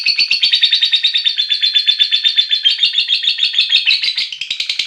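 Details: Lovebird giving a long ngekek trill while calling companions: a loud, continuous rapid chatter of harsh repeated notes, steady throughout with a slight shift near the end, no other sounds.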